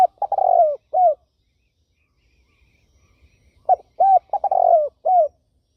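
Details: A turtle dove finishes a cooing phrase with stuttered notes and a long falling coo, then after a pause of about two and a half seconds repeats the whole mellow, arching sequence.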